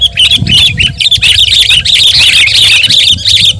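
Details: Sooty-headed bulbul singing hard, for training or luring birds: a loud, crowded flow of chattering, squeaky notes with barely any pause.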